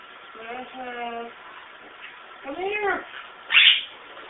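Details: A pet monk parakeet, flying while being trained to return on command, gives nasal, harsh squawks, one flat and drawn out, another arching up and down.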